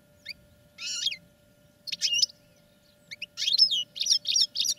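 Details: Caged European goldfinches singing during training: separate bursts of bright, high twittering notes with short pauses between them, the phrases growing denser toward the end over a faint steady hum.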